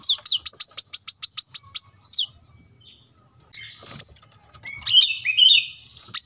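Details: Brown-throated sunbird (kolibri kelapa) in gacor song, recorded for training cage birds: a fast series of sharp, high chips for two seconds, then quiet, then scratchy twittering and a few more high notes.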